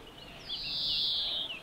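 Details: A European greenfinch at La Calamine-Kelmis, Belgium, gives one long, wheezy, nasal 'dzweee', high-pitched and drawn out for about a second before fading, over a quiet background.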